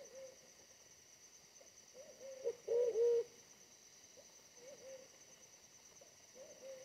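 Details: Wild pigeon trapped using a decoy, smaller than the decoy bird but fierce; one loud, wavering low coo near the middle, surrounded by several quiet short coos.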